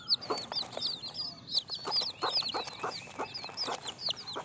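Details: Baby chickens peeping together, a dense flurry of short, high, bent chirps overlapping one another, with soft tapping or rustling thuds underneath throughout.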